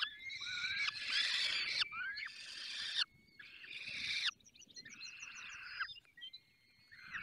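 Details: Falcons feeding at their nest in the Barycz Valley: loud, harsh screeching bursts of about a second each, then softer scratchy calls with a rapid ticking series.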